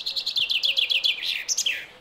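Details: Common Starling song played in a garden-bird guide: a quick run of high chirping notes stepping down in pitch, then a squeaky sliding whistle falling away, over faint background hiss.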